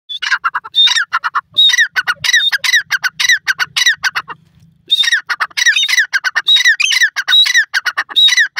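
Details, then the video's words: Grey francolin (dakhni teetar) calling loudly outdoors: harsh, ringing, rhythmic phrases of rapid squawking notes with a high whistled sliding element, repeated in bursts with a short pause midway. "dakhni teetar awaaz,grey frahcolih voice,teetar boli"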